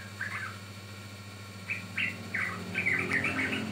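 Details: Yellow-vented bulbul song used to lure and train birds; sparse, separated liquid notes at first, then a quicker bubbling run of phrases, with low hum behind.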